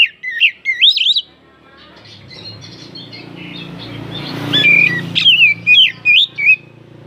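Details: Oriental magpie-robin song played to provoke other birds: quick whistled phrases at the start, then rising rushing noise with a flutter, followed by more bright slurred whistles.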